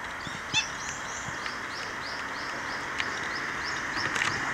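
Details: Black-winged stilts recorded in Okinawa, Japan, May 5, 2009: quick, sharp kek-like notes repeated rapidly, about three per second, with a continuous hiss in the background.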